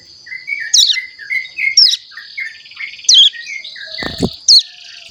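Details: A juvenile caged Hill Prinia learning to sing gives loud, high, sharp chirps roughly every second. They are interspersed with soft, lower, piping whistles, and a brief knock is heard near the end.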